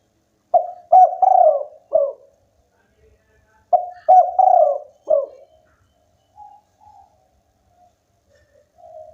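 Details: Local spotted dove in lively, full song: two phrases of about five low, hollow coos, the middle notes drawn out, then softer scattered coos trailing off, quiet surroundings.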